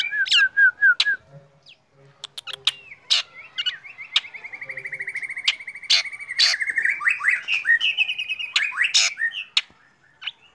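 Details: Black drongo singing vigorously in the morning: clear slurred whistles, a long rapid trill near one pitch, then rising whistled phrases broken by sharp clicks and snapping notes, with quiet gaps between bursts.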